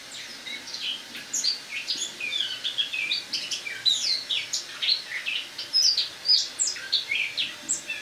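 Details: Caged Eurasian blackcap singing its autumn song indoors in a kitchen one October morning in 2017: a continuous quiet warbling subsong of rapid, varied chirps and twitters, high and scratchy notes packed closely together.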